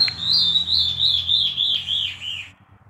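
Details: A captive tem-farinha-aí, an alarm bird that does not sing constantly, gives a thin, high, wavering series of whistled notes for about two and a half seconds over faint room hum; its female answers, singing twice to his once.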